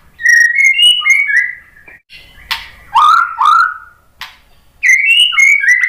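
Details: White-rumped shama song used to provoke other birds to sing: loud melodious whistled phrases of stepped notes, one lower down-slurred phrase in the middle, then the stepped whistles return.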